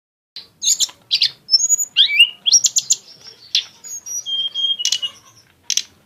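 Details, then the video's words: Lesser shortwing (tledekan gunung) singing in an exotic style with rich bursts: high, varied chirps and short whistles, some rising sharply, tumbling in quick irregular phrases with brief pauses. "kicau tledekan gunung yg punya gaya exsotis dan tembakan yg mewah"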